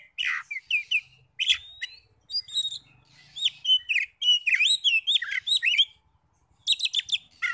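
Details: Oriental magpie-robin (kacer) song used as a lure to rouse other magpie-robins into answering with full song: rapid bright whistled phrases with sharp upslurred and downslurred notes, bursts of varied chirps separated by short pauses, no other sounds.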